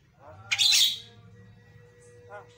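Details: Javan myna of the white-eyed type known as jalak kebo mata putih giving one loud, harsh, hoarse squawk, followed by a soft faint note and a steady faint background tone.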